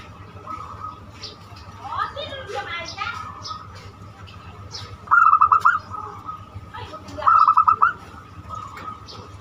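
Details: Banyumili-style zebra dove song used as a lure to get other birds singing; faint chatter opens, then two crisp bursts of rapid stuttering coos about two seconds apart over a constant hum.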